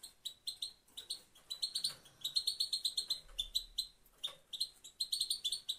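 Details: Singing female goldfinch giving a nearly continuous run of sharp, high chirps and twittered notes, rising into denser trilled stretches with brief breaks between phrases.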